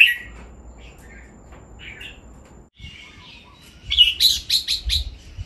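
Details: Caged red-whiskered bulbuls in playful 'len rik' singing, a recording for song training: soft warbled fragments, then a loud burst of four bright, chirpy whistled notes near the end, with low background rumble.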